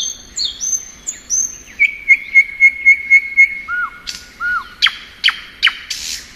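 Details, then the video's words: Spring song of a thrush nightingale: high slurred whistles, a run of repeated piping notes, two low swooping whistles, then loud sharp clicks spaced irregularly. "Nightingale Song.(Luscinia)."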